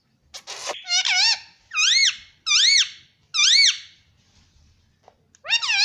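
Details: Pet ring-necked parrot talking indoors in a small room: several loud, squeaky, arched syllables in short bursts about a second apart, voice-like and harmonically rich, with a brief sharp noise at the start.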